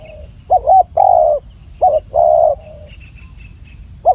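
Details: Clear-voiced spotted dove in a training recording giving two low coo phrases, a quivering short note then a long hoot. Faint high chirps from another bird sound in the background.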